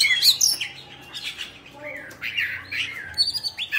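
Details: Kept Oriental magpie-robin of the bạch bạng type singing while fanning its tail in display; varied high whistles, sharp slurred notes and squeaky phrases follow one another quickly over a faint room hum.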